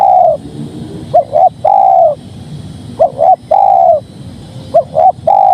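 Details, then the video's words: Spotted dove cooing: a low three-part phrase of two short hiccuping notes followed by a long, slightly falling coo, repeated about every two seconds, with faint background hum. "Suara Tekukur Padu Enak Didengar"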